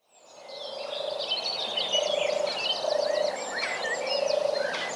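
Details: European turtle dove at Knepp rewilding site, Sussex, in spring, recorded quietly among other birds: a soft, low purring 'turrr' repeated about once a second under busy chirping and twittering from other songbirds.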